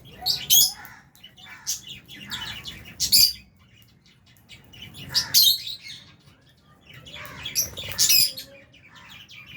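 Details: Albino and Fisher's lovebirds eating in an aviary with budgies; loud, shrill chirp clusters burst out every two to three seconds, separated by quieter stretches of faint twittering.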